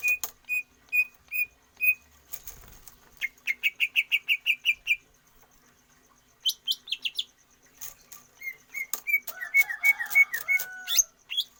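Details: Greater green leafbird in stamina training, giving evenly spaced whistled notes, then a fast rattling series of chirps, high sharp notes, and a closing mix of whistles with harsher lower calls.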